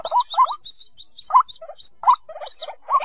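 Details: White-breasted waterhen chicks, used to draw waterhens out of bushes: irregular squeaky, rising notes mixed with short high chirps and one slurred high whistle.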